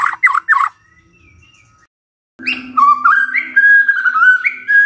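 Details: Morning song of a white-rumped shama, aimed at making a quiet bird sing: a few harsh buzzy notes, a short silence, then lower, sliding, mellow whistles over a steady faint hum.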